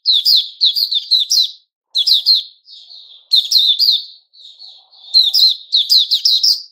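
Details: White-rumped shama, 29 August 2021, pours out fast runs of sharp chirps and whistles, pausing briefly between runs, with soft murmured notes in the quiet spaces.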